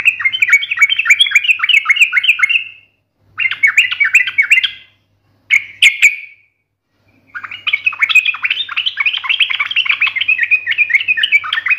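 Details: Yellow-vented bulbul; fighting song; challenging rivals, provoking other bulbuls to answer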